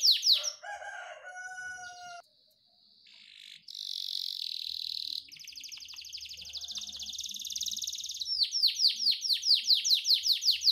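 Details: Training recording of canary song in a long unique cengkok: mixed high notes and a pure whistled tone at first, then steady buzzing trills, closing with a fast run of repeated swooping notes; faint low background sounds.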